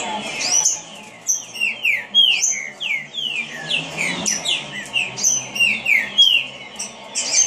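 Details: A green-winged saltator sings fast: an unbroken run of loud, clear whistled notes, many slurring downward, with a steady high rhythm throughout.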